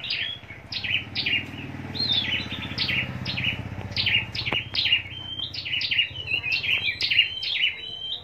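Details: Caged scarlet-backed flowerpecker from Long Thành, southern Vietnam, performing contest song: around fifteen piercing downslurred notes in steady succession, ending in a flatter trill-like run, with a faint low hum beneath.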